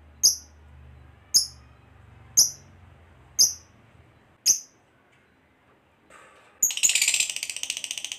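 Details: Fighter lovebird used to provoke other lovebirds into calling: five short, sharp, high chirps spaced evenly about a second apart, then a pause and a brief burst of dense, rapid chatter at the end.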